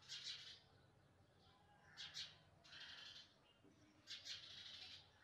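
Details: House sparrow nestlings calling as they are fed, giving rasping, buzzy chirps in clustered bursts about every two seconds, with quiet gaps between and faint low rumble beneath.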